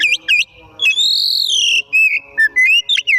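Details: Oriental magpie-robin singing energetically in the afternoon, loud clear whistled notes: quick rising-and-falling slurs, then a long sustained whistle, ending with short varied whistles and slurred phrases in rapid succession.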